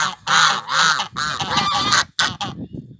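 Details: Loud nasal honks from African geese raised as a guard pair on a Brazilian farm to sound the alarm, several long blaring calls back to back, then shorter clipped honks trailing off into quiet.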